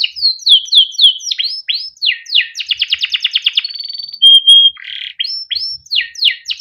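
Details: Captive male canary from Indonesia in long chirping 'cuit cuit ngerol' song meant to coax other canaries to sing: descending swept notes, a rapid buzzy roll, a pure held whistle, then more sweeping notes.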